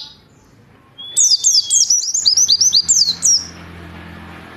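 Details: Warbling white-eye tutor song, meant to be played in the morning during the dewy hours: a fast burst of high, twittering, sharply modulated chirps lasting about two seconds after a thin whistle, over faint low background hum.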